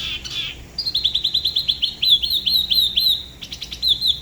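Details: A Da Lat spot-throated babbler, La Ba river, delivers a quick solo run of sweet downslurred whistles, about five per second, after a short opening trill.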